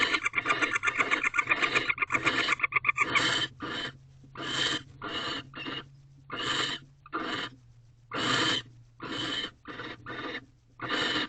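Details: Early morning in a barn owl nest box, March 2023, where a male offers a rodent to court the female; fast ticking chatter for three seconds, then irregular harsh hisses, over a low hum.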